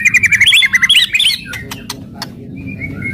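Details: Fierce white-rumped shama, its song used to stir rival birds. It opens with a rapid run of repeated bright whistled notes, then scattered sharp clicks and a soft whistle over low rumbling noise.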